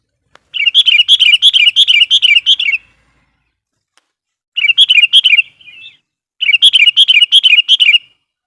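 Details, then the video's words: Lure sooty-headed bulbul singing to draw in wild birds: three bursts of rapid, bubbly, repeated warbled notes, each lasting one to two seconds, separated by short pauses. The background is clean. "suara burung KUTILANG GACOR GARUDA bikin emosi kutilang liar"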